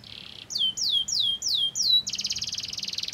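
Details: Canary song meant to set other canaries singing: a short buzzy burst, five loud descending whistled sweeps, then a fast dense rattling trill.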